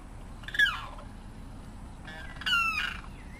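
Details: Limpkin (carrao) giving two loud, harsh, descending squawks, the second longer and stronger, separated by a quiet gap with faint background hiss.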